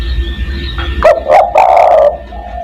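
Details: Spotted dove lure call for attracting other doves: two short loud notes then a long, rolling, hoarse coo, strongly overdriven, over a low hum.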